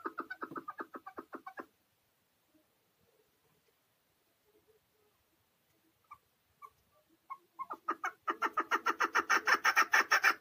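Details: Chukar partridge held in a cage, Tajikistan, 2020, opens with a fast series of clucking chuk notes, falls nearly silent with a few faint ticks, then bursts into a louder, quicker, rhythmic chukar-chukar run.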